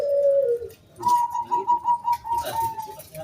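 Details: Zebra dove, local wild bird kept to lure other doves into song: a low falling coo, then a series of clipped level mid-pitched pulses, with some rustling noise behind.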